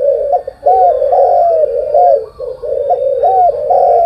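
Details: Spotted dove in the morning giving near-continuous loud, low cooing with arched, wavering notes, broken by two brief pauses.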